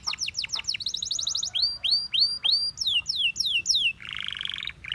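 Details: Canary song with drooping slurred notes and a quick high trill. Bold upswept whistles repeat about every half second, followed by falling chirps and a closing harsh buzzy roll.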